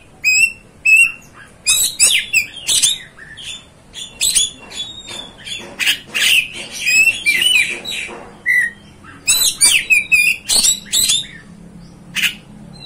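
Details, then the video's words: Lively Oriental magpie-robin (kacer) singing, meant to provoke other kacers: dense run of high whistles, twitters and scratchy notes in quick succession, with brief gaps and varied pitch throughout. "MEMANCING | MEMBAKAR EMOSI KACER ANDA"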